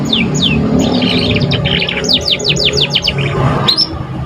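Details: Canary youngster still learning its song, used as a stimulus for other canaries: a quick series of descending whistled strokes, about three a second, mixed with buzzy chatter, over steady low background noise.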